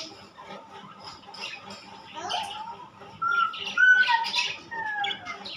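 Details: Pet budgerigars, rainbow and classic colour types, indoors: a few drawn-out whistled squawks, some level and some sliding downward, mixed with softer chattering notes and faint background voices.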